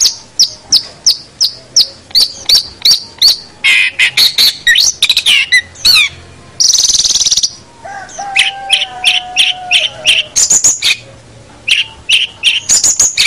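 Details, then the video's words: Long-tailed shrike training recording: long rapid chattering series of sharp high notes, broken by harsh rasping phrases, a buzzy noisy burst and a drawn-out lower whistle before quick high chips resume. "Masteran Suara Pentet Cendet"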